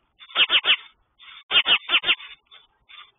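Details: Alarmed mother sparrow on the side of her nest scolds an intruding sparrow; loud, harsh triple chirps followed by a run of four more, with softer rasping chatter trailing off.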